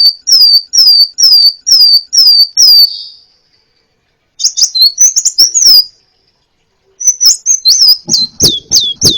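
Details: Crimson sunbird, a varied song used to train songbirds: six clear downslurred whistles, pause, a burst of twittering high notes, another pause, then quick descending chirps.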